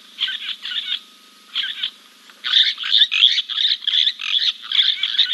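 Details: A Giant kingfisher preens after a dip at King's Camp, recorded on a live camera on 2 April 2024. Spaced harsh notes build into a loud, continuous grating rattle that lasts the rest of the clip.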